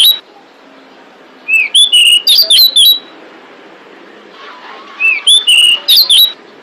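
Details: Female pied bushchat calling to attract males: two bursts of five or six rapid, sharp whistled notes sweeping up and down, separated by a few seconds of faint background bird chatter.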